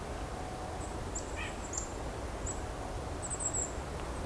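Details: Very high, thin, faint notes of a Golden-crowned Kinglet in quick runs of three or four, in a winter mixed chickadee-nuthatch flock during the Hanover-Walkerton Christmas Bird Count; steady low wind and background rumble.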